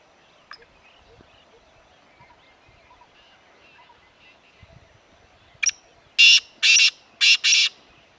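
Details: A black francolin calling in the grasslands of Corbett Tiger Reserve, Uttarakhand, India, on safari: a short click, then four loud, harsh, rasping notes in quick succession, with faint background birds earlier.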